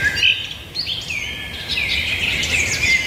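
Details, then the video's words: Outdoor birdsong with a high whistled note at the start, then a busy run of twittering, warbling phrases that carries on without a break to the end. "birds singing"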